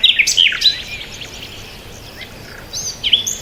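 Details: Several birds chirp peacefully: bright high twittering notes and slurred whistles at the start, a quiet gap, then a few more clear whistled phrases over a low background hiss.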